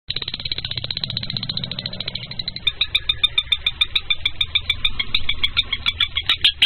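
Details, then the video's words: A lovebird chatters in a shrill, high buzzing stream, then breaks into sharp squeaky chips about three per second over a low background rumble. "Lovebird given 1 minute Hattrick"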